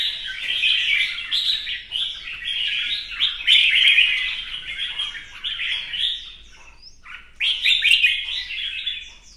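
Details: Competition singing by a captive red-whiskered bulbul displaying with fanned feathers: rapid bubbling, rolling phrases about four per second, loud and continuous, dropping briefly quieter before a final bright burst.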